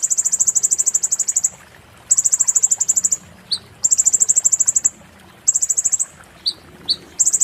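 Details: Kolibri ninja performing 'muntah beling', a tutor song for magpie-robins: long, very high, insect-like rattling trills of about a second and a half, repeated after short pauses, with thin single chips between them.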